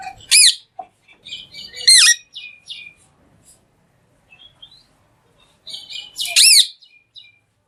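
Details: Talking green parrot uttering three loud, harsh, down-curving screeches a couple of seconds apart, with quieter chirps and chatter filling the gaps.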